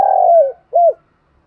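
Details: Spotted dove, a decoy bird used to lure wild doves, calling the flock in the morning: a long, low, mellow coo that slides gently downward, then a short arched coo after a brief pause; otherwise quiet.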